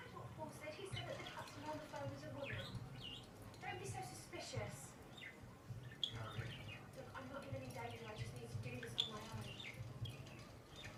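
A budgerigar chatters in a busy, continuous warble of squeaks, clicks and chirps over a low hum.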